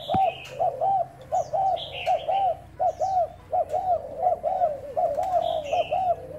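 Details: Decoy spotted dove, Thai type, in a cooing trial on 1 November. It gives rapid paired arched coos, rolling almost without pause, with bright high twitters from other birds.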